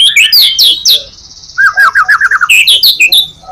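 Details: Close white-rumped shama in full song used to attract other shamas: bright high whistles, a held tone, then a fast series of about eight descending slurred notes and more whistles.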